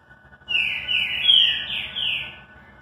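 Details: Green-winged saltator singing its classic song: a loud phrase of rich, slurred whistles, some rising and some falling, flowing together for about two seconds over a faint steady hum.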